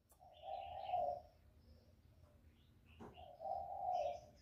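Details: Spotted dove call used as a trapping lure: two long, low, hollow cooing phrases about three seconds apart, with a constant low hum, faint chirping from other birds and one sharp knock.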